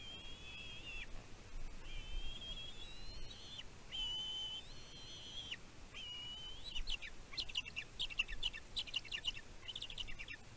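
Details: Young bald eagle in its nest on Catalina Island, California, USA, June 2023, calling over the mother's food deliveries: sustained high whistled notes, slightly rising, then a rapid series of sharp chittering clicks and chips near the end.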